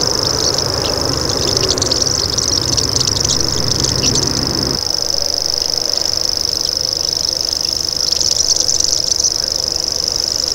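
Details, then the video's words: Common grasshopper warbler (Locustella naevia): continuous high, insect-like buzz, mixed with chattering of other birds in the first half and again near the end, plus low background rumble early on. "Common Grasshopper Warbler Call"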